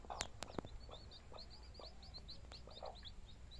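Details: Chicks with their mother hen: a rapid run of high, thin peeps, one after another, with a few soft low clucks and a couple of sharp taps near the start.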